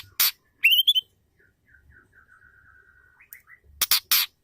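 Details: Female white-rumped shama sounds used to make a male sing: a loud rasp, a bright rising whistled burst, a long string of faint even chirps, then three loud harsh rasping notes.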